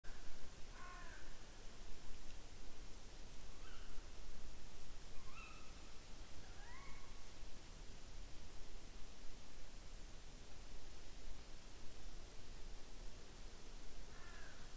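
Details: Tawny Owl in Estonia, 5 October 2019, at 18:10, giving sharp, slightly nasal 'ke-wick' calls, a few in quick succession then another near the end, over a steady low rumble of wind.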